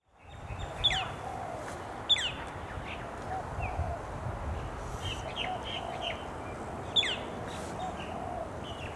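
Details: Male Australasian figbirds in late July 2017 at Hawthorne Canal Reserve, a popular recreation area in Sydney, NSW: sharp high notes swooping steeply downward, given singly and scattered over several seconds against steady broadband background noise.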